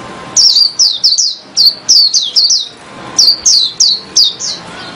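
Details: Oriental white-eye with a loud, strong song: rapid series of very high, sharply down-slurred chirps in bursts of three to four, separated by short pauses.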